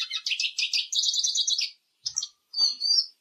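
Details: Eurasian siskin song with a quick run of pulsed chirps rolling into a steady trill, followed after a pause by two short whistled, slurred phrases.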